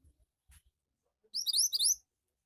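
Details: A short, bright gacor burst from a Javan white-eye: high, quick, rising chirps packed into about two thirds of a second, after scattered faint taps.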